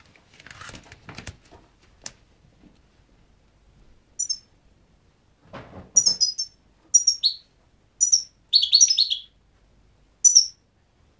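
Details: Goldfinch giving short, bright, high chirps at uneven intervals, some clipped and sharp, one lower twittering burst near the end; rustling and low handling noise at the start.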